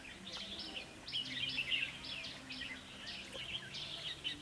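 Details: Red-whiskered bulbul recorded during trapping with a decoy bird on 21 October 2016: dense, lively chattering of sharp high chirps and short warbles in irregular bursts over a low steady hum.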